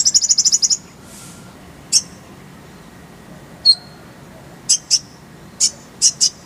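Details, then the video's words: Konin, or Oriental white-eye, as a training recording for songbirds: opens with a quick high trill, then sparse sharp high chirps and short paired notes after pauses. "Masteran Konin_Kolibri Ninja Bahan Agar Cepat Gacor Suara Jernih"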